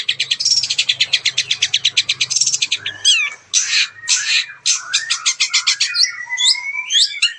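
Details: Captive long-tailed shrike with contest success, in full mimicry song for provoking silent rivals: a quick regular rattle of chirps, then harsh buzzy bursts and sliding whistled notes, with a low hum early on.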